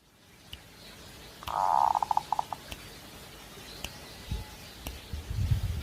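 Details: Zebra dove in breeding condition: a single cooing phrase that starts as a smooth rolled note and breaks into short stuttering beats, with low rumbling noise and clicks later on.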